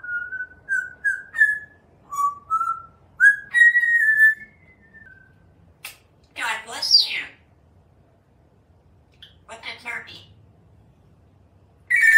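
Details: Pet African Grey Parrot on a Texas screen porch serenading birds and squirrels: a string of short clear whistles, some rising, then raspy voice-like sounds and a few harsh bursts.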